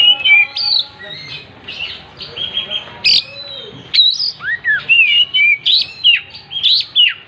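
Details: Oriental magpie-robin singing vigorously with its tail spread: loud whistled slurs, upswept and downswept notes repeated in steady bursts, some rough chattering notes between them.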